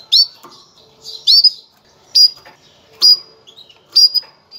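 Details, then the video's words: Female canary gives its breeding call to get males ready: a steady series of bright, upslurred chirps about once per second, some followed by a short trailing note, in a quiet room. "انثى الكناري, نداء التزاوج, لتجهيز الذكور"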